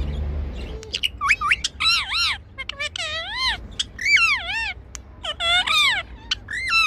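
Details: Pet six-year-old male Indian ringneck parakeet greeting its owner as she arrives home, as it does daily: a quick string of wavering, harmonic-rich squawky phrases, rising and dipping, with brief pauses between bursts and a low rumble at the start.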